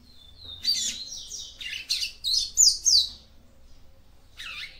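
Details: Female capped seedeater song used to stimulate a male: a thin whistled lead-in followed by a rapid, buzzy sequence of high chirps and slurred twitters, ending with a final short chirp.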